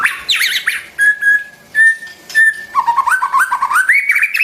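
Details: White-rumped shama singing, used for training the song of young and newly caught birds: a rich, varied run of loud whistles, quick warbled trills and held clear notes, ending in a stepped series of rising whistled phrases.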